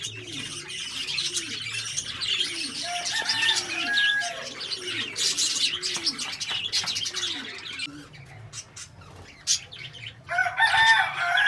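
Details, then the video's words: Lovebirds chatter in a dense flock of shrill, high chirps and squeaks, over a steady run of soft, low arched notes repeated about twice a second. "LOVE BIRDS SOUND"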